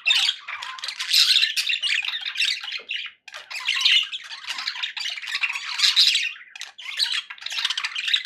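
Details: Several pet budgerigars, described as happy, give a continuous twittering warble with squeaky notes, broken by short gaps near three and seven seconds.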